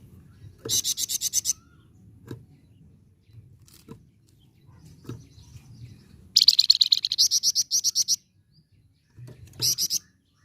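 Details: Flamboyan used as a singing tutor for other birds, in lively rolling chatter style: three bursts of rapid, high, buzzy trilled notes, the longest about two seconds with around twenty pulses, between quieter stretches with faint clicks and low background hum.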